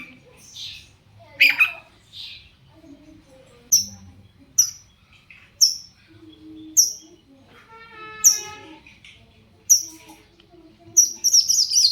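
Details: Shrike singing as a lure to draw replies from other shrikes: sharp, high descending chip notes spaced about a second apart, a mid-clip harmonic rattle, and a chattering flurry at the end.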